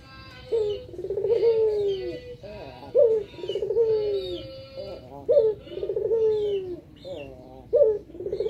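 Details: Dove calling when greeted by its owner. It gives repeated phrases, each a sharp rising note followed by a long, falling, purring coo, about every two and a half seconds. Thin high chirps from other small birds are heard throughout.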